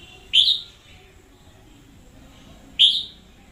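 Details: Red-whiskered bulbul, an energetic decoy bird, recorded in 2021, giving two loud, clear, slurred whistled notes about two and a half seconds apart against a quiet, faintly humming background.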